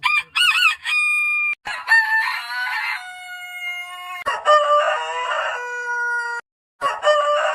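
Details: Rooster crowing: harsh harmonic-rich crows, each opening with a rough burst and ending in a long steady held note, one following another with short gaps between them.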